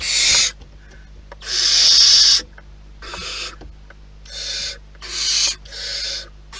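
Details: Nest of wild barn owls: a series of six harsh, breathy screeches of varying length, the longest near one second, interrupted by quiet gaps with faint clicks and scuffles.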